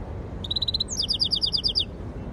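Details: Short trilled phrase from a yellow-fronted canary x canary hybrid: about eight quick identical notes, a sharp slur, then a rapid run of eight bright descending chirps.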